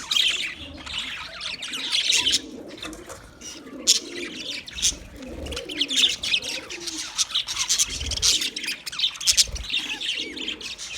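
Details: Budgerigars in noisy chatter: overlapping high, buzzy warbles and short chirps, with quieter lower cooing phrases and a few sharp clicks mixed in.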